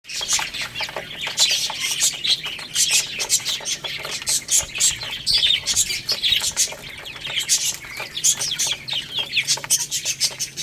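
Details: Baby chickens eating rice, a crowd of chicks keeping up dense, overlapping high chirps and peeps with sharp clicking taps running through the whole stretch.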